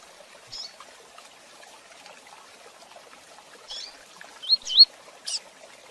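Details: Rusty-collared seedeater gives a "tui tui zel zel" training song used to teach other birds: sparse, high, sharp whistled notes and quick slurred phrases, a few per second near the end, over a faint hiss.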